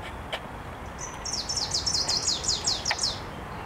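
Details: Recorded 9 June 2023 in Warsaw, Poland, a wood warbler, a spring visitor, sings a high introductory note, then a quickening run of sharp slurred notes forming a buzzy, ringing trill of about two seconds.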